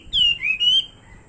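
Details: Fighting Chinese hwamei giving a short burst of song: three loud, clear whistled notes, the first sliding downward, the middle dipping lower, the last held level, then silence.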